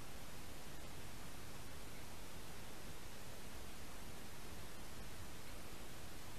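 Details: Steady broadband static hiss throughout, with no animal calls.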